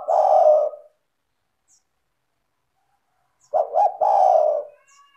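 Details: Lure recording of a spotted dove: a long, soft, hoarse coo, a pause of over two seconds, then a stuttered coo opening into another drawn-out low note.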